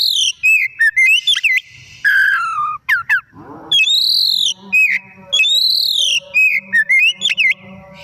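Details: White-rumped shama in lively afternoon song, used as lure material to prompt other birds to sing: loud clear whistles, sweeping arched notes and quick trills in varied phrases with short pauses.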